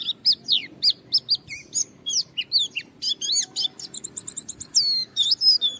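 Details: Caged Japanese white-eye in lively full song, challenging a rival to draw other white-eyes into singing: rapid varied high whistles, slurred and chirping notes run together, a steady low hum beneath.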